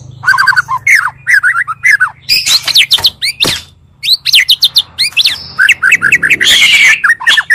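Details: An Oriental magpie-robin lure recording that combines two birds' songs to excite other birds: a fast, varied song of clear whistles, slurred rising notes and harsh chattering bursts, with a faint low hum behind.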